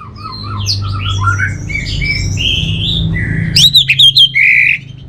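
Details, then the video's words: Varied whistling from an orange-headed thrush. Gliding and warbled notes come first, then a sudden loud sequence of clipped, emphatic phrases and a sustained buzzy note. Low background hum. "Suara ANIS MERAH Ini"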